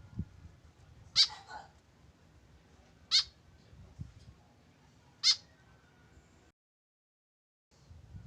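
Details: A tame white-breasted woodswallow, alone without a companion, gives three short harsh nasal calls about two seconds apart, with faint low thumps underneath and a brief silent gap near the end.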